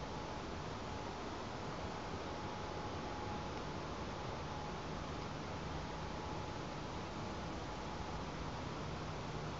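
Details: Steady hiss of background noise with a faint constant tone; no animal sounds.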